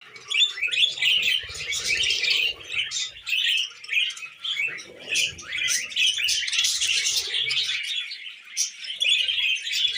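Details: Tamed pet budgies chattering together: a dense, continuous stream of scratchy warbles and high chirps with brief swells and dips, plus faint low rustling in the background.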